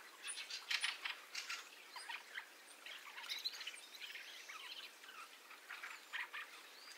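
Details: Fieldfare winter flock invasion, with a starling roost behind, recorded in stereo XY and on an iPhone: dense overlapping chattering chirps and squeaks from many birds, bursts clustered in the first two seconds, then steady busy chatter.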